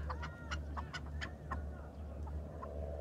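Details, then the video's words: Farmed chukar partridge with a quick burst of short, sharp clucks in the first second and a half, then scattered notes, against a droning background hum. "فارمی چکور کا آواز"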